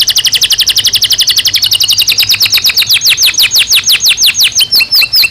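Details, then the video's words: Natural song of a Belgian canary for daily stimulation and training: a dense rapid trill that loosens into a string of steeply descending whistles, about three per second. "Som de 1 Hora com Canario Belga Cantando Naturalmente"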